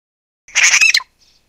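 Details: A Grey Treepie (Dendrocitta formosae formosae) gives one harsh, squeaky, scratchy, grating burst of about half a second, then a faint, brief high note. No other sounds stand out.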